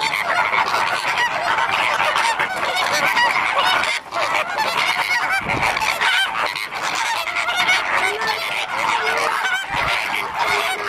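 A flamingo flock gives a dense, continuous chorus of nasal, goose-like honks that overlap without pause throughout.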